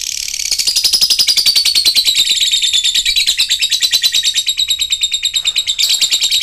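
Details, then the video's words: Lovebird in ngekek style, a long continuous chatter used as a lure to restart a lovebird that has stopped singing: rapid, unbroken, high buzzy trill of fast pulses, gliding slightly downward in pitch, lasting the whole stretch. "ngetik ngekek panjang jadikan Lovebird macet aktif ngekek lagi"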